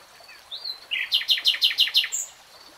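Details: Common nightingale phrase: a few soft introductory notes, then six loud, evenly spaced chopped notes about five per second, ending with a high flourish.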